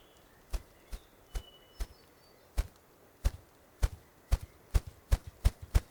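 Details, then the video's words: A male Ruffed Grouse drums with its wings in dense understory during spring migration in the morning. About a dozen deep, muffled thumps start slow and speed up into a quickening roll, with faint bird calls in the background. "I went off the road through the dense understory to try to get a good look at this male Ruffed Grouse drumming, but this is the clearest view I could get."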